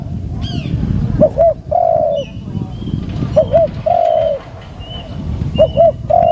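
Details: Cooing decoy spotted dove during a decoy session: three phrases of a short doubled note and a longer mellow coo, with low background rumble and scattered high bird chirps.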